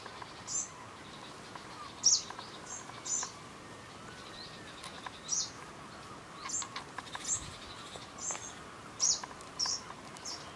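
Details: Lanceolated warblers on Christiansø in the Ertholmene islands, Denmark, 30 July 2012: scattered thin, high, clipped call notes, some louder and some fainter, at irregular gaps of one to two seconds against constant wind-like hiss.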